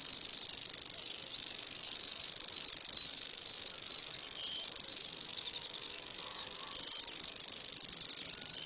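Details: Common grasshopper warbler (Locustella naevia), reeling song.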